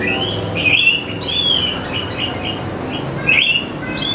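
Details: Greater green leafbird in full song, used as a lure for young birds; scattered high whistles and sweeping notes are separated by brief pauses, and a soft low hum sits underneath.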